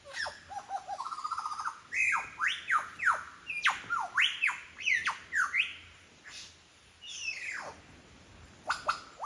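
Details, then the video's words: Mimicking a repertoire of birds such as cockatoos, whipbird, currawong and kookaburra, a wild lyrebird in Royal National Park, Sydney, gives a fast run of sharp descending whistles, stepped notes and squawks, then calmer scattered calls. "Mimicking sounds of the Lyrebird"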